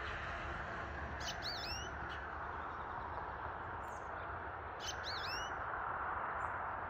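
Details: Goldfinch singing: two brief bursts of high, twittering notes with slurred, swooping whistles, about three and a half seconds apart, over a steady loud low rumble of background noise.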